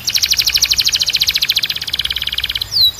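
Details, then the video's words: Belgian canary delivering a fast, even metallic trill of rapid pulses for over two seconds, slowing slightly near the end, followed by a single bright downward-curving whistle. "Your Belgian Canary Might Sing NON-STOP After This"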